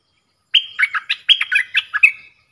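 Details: A wild bulbul singing in a song duel with a caged bird sings a quick, bubbly phrase of about eight liquid, chirping notes, under two seconds, ending in a slightly drawn-out whistle. No other sounds.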